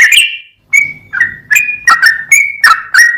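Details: Song of a sooty-headed bulbul, recorded as 'full ropel' tutor material to provoke rival bulbuls. A run of clear whistled notes, alternating higher and lower pitches, about three per second after a brief pause.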